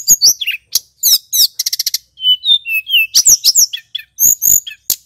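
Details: A male Snowy-browed Flycatcher (Tledekan Gunung) sings a lively, rolling lure song to excite flycatchers: quick rattling trills, a series of evenly spaced high pips, gliding lower whistles, then sharp upswept chirps.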